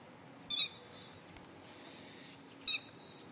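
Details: Alarm calls of a Grey-headed lapwing pair defending their paddy-field territory against a cat on 30 May 2010; two sharp, strident shrieks roughly two seconds apart, with faint background hiss between them.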